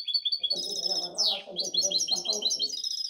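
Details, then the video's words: European goldfinch hybrid from 2019–2020 giving a quick burst of bright twittered notes, a loud downward-sweeping buzz, then rapid repeated chirps, over steady Spanish conversation in the background. "Mi mixto de jilguero"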